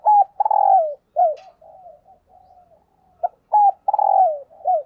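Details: Spotted dove kept as a decoy, cooing "thúc gù" to excite wild doves: two loud phrases, each a clipped note, a rolling vibrating coo and a falling tail, with faint low murmurs in between.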